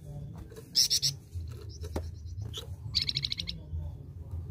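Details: Singing flamboyan gives a quick run of three loud high notes, then after soft chips a longer series of about eight rapid, evenly spaced high pips, against low background hum.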